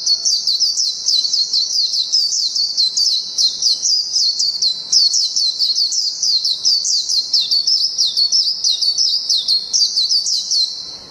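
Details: Japanese white-eye singing a long "ngalas panjang" style song: an unbroken, rapid, high-pitched twittering of thin sweeping notes and trills that runs through the whole eleven seconds with barely any pause.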